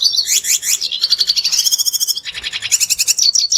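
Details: Red siskin song used as a lure to get other birds singing: a dense, continuous stream of high twittering and rapid buzzy trills, with quick chattering notes that rise and fall without pause.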